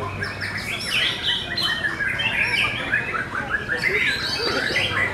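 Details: White-rumped shama competing in a singing contest: varied clear whistles and chattering trills in quick succession, other birds overlapping, soft low hum throughout.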